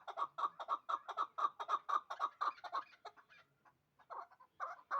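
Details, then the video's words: Hybrid partridge, two years old, held in Dushanbe and raised for fighting and hunting, delivers a fast regular string of hoarse chuk notes for three seconds, falls silent briefly, then resumes with a few more. "Кабки гибрид"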